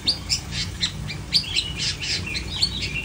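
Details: Long-tailed shrike delivering a rapid medley of scratchy chirps, high sharp clicks and downward whistled slides, notes tumbling several per second with uneven spacing, low hum underneath.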